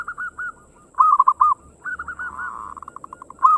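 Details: Local zebra dove song in quick ngayer engkel style, meant to prompt other birds to sing: stuttering coo phrases lead into a long run of rapid, quavering notes that fade, then a loud coo returns.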